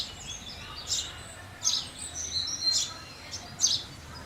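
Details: House sparrows giving short, high chirps in a loose series about once a second, with softer twittering notes between them and a low background hum.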